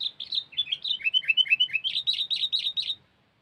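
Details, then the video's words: Lure recording of a sooty-headed bulbul. A fast, unbroken string of liquid whistled notes dips lower in pitch, then climbs to a run of higher, evenly spaced chirps for three seconds before stopping. "Suara Burung Kutilang"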